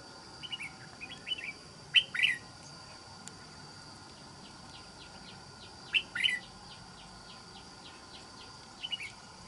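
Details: Red-whiskered bulbul used for trapping, noted for its good island-forest voice, delivers two clear, lilting whistled phrases a few seconds apart, plus faint chirps and a thin background hiss.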